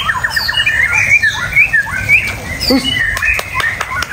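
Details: Caged white-rumped shama delivering quick rising and falling whistled phrases mixed with harsh squawky notes and sharp clicks, over a constant low background hum.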